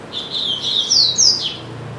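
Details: Double-collared seedeater, a family's pet bird said to sing a great deal, delivering a high, fast phrase of sweet whistled notes with rising and falling slurs, ending in a sharp downward sweep; a faint low hum sits underneath.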